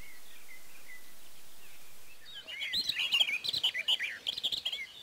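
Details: Barred warbler recorded at Erdőhorváti, Tokaj, Hungary, in May 2013 with a Canon EOS 7D: faint whistles of distant birds at first, then a loud, rapid, chattering warble of harsh and looping notes.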